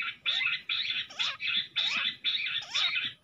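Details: Jungle bush quail during a fight, giving loud, rasping, noisy bursts about twice a second, several ending in sharp downward-sliding squeaks.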